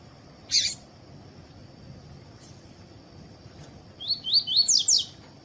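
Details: Double-collared seedeater giving its tui-tui song, meant to warm up other birds into singing. A sharp click comes first, then a quick run of about five high, downslurred whistles near the end over a faint steady tone.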